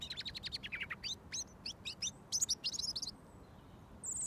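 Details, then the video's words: Close-up of a wild robin that sings when approached to within about a foot before being fed mealworms: a quick, high, tumbling run of thin, varied notes for about three seconds, then one faint, high, drawn-out note. "Robin Singing"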